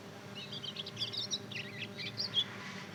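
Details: Two-month-old mozken, a hybrid of Mozambique canary and domestic canary, practising its song. A fast, scratchy high twitter of short buzzy notes runs unevenly for three seconds, with a faint mechanical hum beneath.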